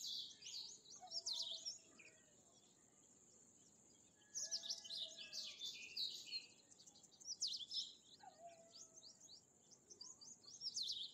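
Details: Bimaculated lark: bursts of rapid, scratchy high chirps and trills, with pauses of one to two seconds between phrases. Faint low drawn-out whistles run underneath.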